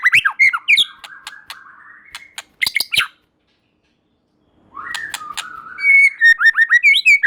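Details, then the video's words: White-rumped shama song played to provoke a response from other shamas: varied whistled phrases and sharp clicks, a sustained buzzy note near the start, a pause, then rapid sweeping whistles and chatter. "Murai Batu Lain Dijamin Langsung Respon dan Nyambar Bunyi, Coba Saja Putar || Voice of Murai Batu"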